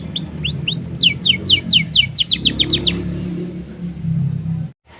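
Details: Black-throated canary song used to coax canaries into singing: a few arched upward whistles lead into a rapid series of steep falling notes that stops after three seconds, leaving low background hum before an abrupt cut.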